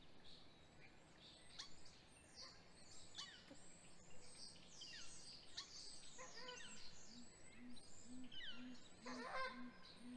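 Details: Great grey owl at a nest during hatch week, morning of 27 April 2020, male delivering prey to the female with vocalizing between them; a short run of soft, low hoots repeated about twice a second near the end, over busy chirping songbirds.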